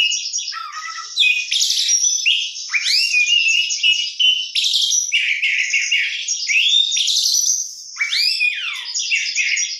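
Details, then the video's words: Oriental magpie-robin (kacer) singing gacor with rich isian fill-in: a continuous, fast medley of high whistles, rising sweeps and buzzy trills, with sharp downslurred notes near the start and end. No other sounds. "kacer gacor isian mewah"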